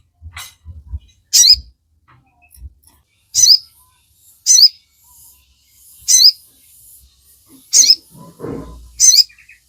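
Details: Sogon, or Crimson Sunbird, in full chattering song, used to coax captive birds to sing: loud, very high, sharp bursts repeated every second or so, with a few faint tweets between them.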